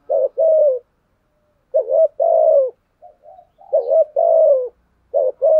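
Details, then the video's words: Spotted dove kept as a lure, cooing to draw and provoke wild birds. A short coo followed by a longer drawn-out coo is repeated about every two seconds, with a faint quiet note between phrases. "chim cu gáy kích bổi"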